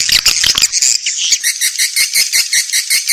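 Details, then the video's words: Swiftlets on an Indonesian-origin lure track used to attract them into bird houses in Vietnam's Central Highlands; a busy high squeaky twitter that settles into evenly pulsed chirps, nearly three per second. "Âm thanh gọi yến"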